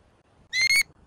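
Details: Bald eagle at a nest in Southwest Florida, filmed by a live nest camera on 24 September 2024 in the morning. It gives a short, high, whistled note with a slight stutter partway through. A faint start of another note follows.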